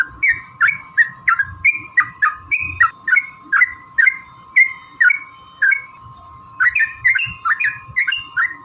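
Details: Repeated chirruping notes from a Yellow-vented bulbul in long fighting song, meant to provoke rival bulbuls: bubbly slurred whistles in a lively run, a short gap, then a renewed burst, over an unbroken faint hum.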